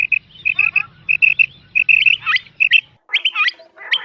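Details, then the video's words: Quail calling in the morning: short, high chirped notes in quick clusters of two or three, followed by sharper, falling notes, over a faint low hum. "batair ki subha ki awaz | batair ki awaz | quail call"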